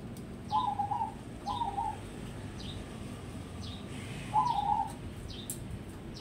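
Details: Caged zebra dove of crossbred line, a contest prospect, gives three quavering coo phrases; a higher bird chirps repeatedly with short downward notes in the background.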